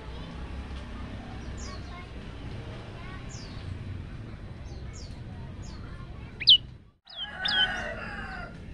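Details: Male olive-backed tailorbird in full, varied song gives thin, high, down-slurred notes about once a second, then a sudden louder sharp phrase after a brief cut, over steady background hiss.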